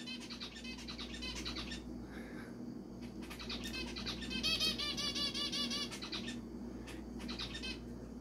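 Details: A male zebra finch gives quick, nasal, trumpet-like beeps in bursts, answering a person's beeping sounds.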